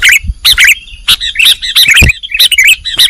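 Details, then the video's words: Sooty-headed bulbul, nggaruda-style master song for training caged birds: choppy, warbling bursts of bright chirps tumbling in quick succession, with a few soft low thumps underneath. "Masteran burung kutilang nggaruda"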